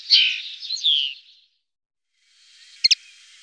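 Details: European goldfinch in the surroundings of Tablas de Daimiel and Villarrubia on the La Mancha plain, Spain: a bright, tinkling twittered phrase lasting about a second, then silence before two sharp high notes.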